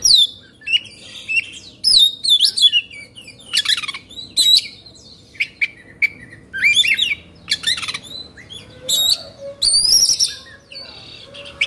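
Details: Excited Oriental magpie-robin, known in Indonesia as kacer, sings a long 'kongslet' sequence of clipped whistles and buzzy notes in quick bursts, with a few brief pauses, then a high bright rising whistle.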